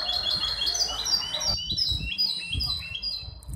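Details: At a Casablanca singing contest of the Ain Chock bird association, 23 May 2021, a hybrid goldfinch delivers a rapid run of high, sharply repeated twittering notes stepping downward, with low thumps and room noise beneath.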